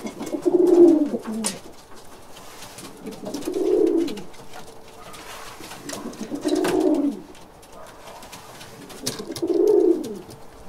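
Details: Indoor caged pigeons cooing constantly: four low, throaty, rolling coos spaced roughly three seconds apart, each swelling then dropping away, with light rustling between them.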